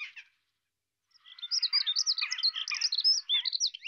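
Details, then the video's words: European robin courtship, in which the male brings the female food she begs for with trembling wings: a brief high note, a pause, then a fast tumbling run of thin, varied whistles and liquid trills. "roodborst hofmakerij"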